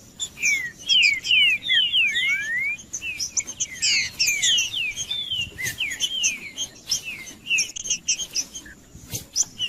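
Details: Green-winged saltator singing, played to stimulate a caged bird: dense run of clear whistled slurs, rising and falling, repeated quickly with high twittering notes mixed in and steady faint background noise.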